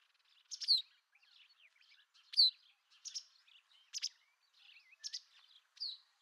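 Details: White wagtail: a quick series of high, clipped chirps with a few twittering notes between them, roughly every three quarters of a second.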